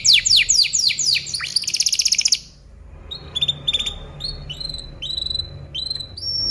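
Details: Canary singing on a tutoring recording for other birds. Fast descending sweeps and a brief buzzy trill give way to a quieter series of short, spaced, whistled notes that rise slightly.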